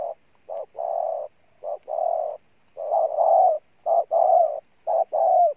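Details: A spotted dove kept as a decoy bird coos forcefully. Short clipped notes lead into drawn-out hollow coos, the phrases roughly a second apart, with no other sound behind them.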